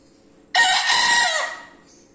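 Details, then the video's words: Bekisar chicken crowing loudly: a single abrupt, harsh crow of about one second that starts at full strength, holds briefly, then fades with a falling tail, set against a quiet low background hum. "AYAM BEKISAR WIDO GACOR KERAS"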